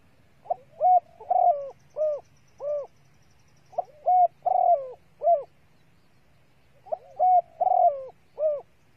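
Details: Lure call of a female spotted dove meant to provoke males: three evenly spaced phrases, each of a short pickup note and four soft, hollow coos with a longer descending middle note.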